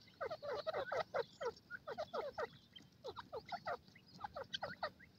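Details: Francolin pair in the forest giving rapid bursts of harsh, clipped notes in quick clusters, pausing briefly between groups, over a faint hum.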